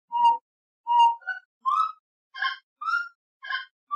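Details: Gray-necked wood rail (saracura-três-potes) in Brazil: loud ringing whistles mixed with harsher, rasping notes, delivered in an irregular, rapid sequence of about seven phrases.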